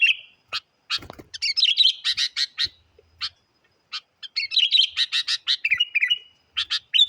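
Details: Very vocal sooty-headed bulbul song used as a lure to challenge wild birds: quick clustered chirps and bubbling slurred whistles in two dense runs separated by a pause, with a soft low thump near the start.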